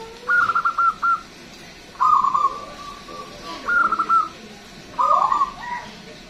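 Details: Local zebra dove in steady, loud song, a lure bird with a long, big voice: four stuttering cooing phrases, each a run of clipped notes ending in a drawn-out coo, repeated every one to two seconds.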